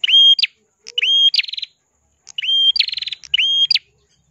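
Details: Ashy prinia in steady song with a crystal voice, for teaching other songbirds: long flat whistles ending in rising flicks, alternating with rapid pulsed buzzy trills, phrases packed closely together in two bursts.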